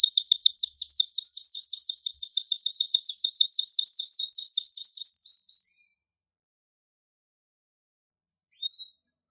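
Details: Strong, agitated song of a male canary, used to encourage canaries to mate: about six seconds of quick repeated two-toned chirps in shifting high phrases, followed by silence with one faint note.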